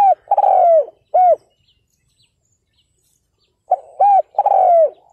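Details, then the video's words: Spotted dove used as a ground decoy to draw in wild males, recorded 2022. Two cooing phrases: short clipped coos, then a longer slurred coo dropping in pitch, with silence between them. "CHIM CU GÁY MỒI ĐẤT KÍCH BỔI CỰC SUNG"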